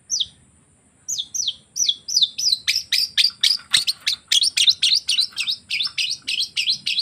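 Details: Long-tailed shrike mimicking canary and lovebird song. After a lone opening note and a pause, high down-slurred chirps repeat in a fast, steady stream of nearly four notes per second, growing louder and harsher.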